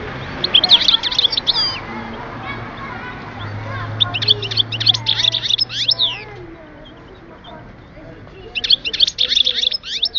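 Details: European goldfinch from Oued Souf, recorded in 2010, singing in bursts of rapid twittering, tinkling notes with quick slurred trills, three song phrases separated by pauses, over a low background hum.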